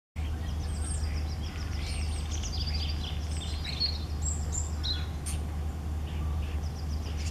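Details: European robin singing: a rapid, varied stream of thin, high twittering notes and short trills with sharp upward and downward slides, over a constant low hum.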